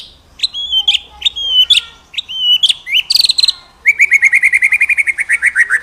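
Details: Master audio for training birds, with white-rumped shama song: paired chip-and-whistle phrases repeat about once a second, then a brief burst of high notes and a fast, even run of chirps.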